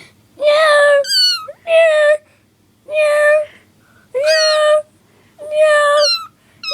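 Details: Cockatiel copying a cat's meow, giving five or six steady, harmonic mews at about one-second intervals, with thin descending whistles slipped in between.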